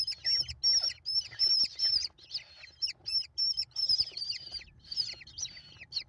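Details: A brood of five American kestrel chicks screaming for food while their mother feeds them, 28 May 2021; shrill high squeals in rapid pulsed bursts, several chicks overlapping, fairly steady, with faint low rumble.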